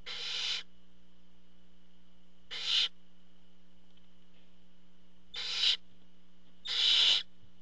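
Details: Barn owls calling at the nest while the father arrives with food: four breathy hissing screeches at irregular intervals, the last one longest, above a persistent electrical hum.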